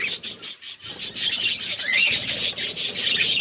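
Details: Budgerigars feeding on seeds in an outdoor aviary in a forest environment; steady pulsing high chirps repeated several times a second, with one rising whistled note midway.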